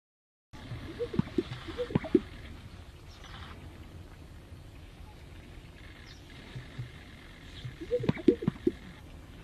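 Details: Male greater sage-grouse strutting at a lek in courtship display, inflating neck pouches and fanning feathers to attract females, give bursts of low bubbling hoots and hollow popping plops about every seven seconds over a low background rumble.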